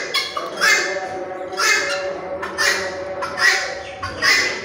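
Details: ['Red-wattled lapwing giving sharp, rasping calls spaced roughly a second apart over a faint background murmur.']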